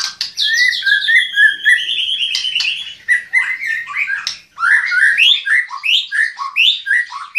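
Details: Energetic song of a white-rumped shama: a tumbling series of rich whistles, slurred notes and quick chattering phrases, delivered fast with only a brief pause midway, clean background.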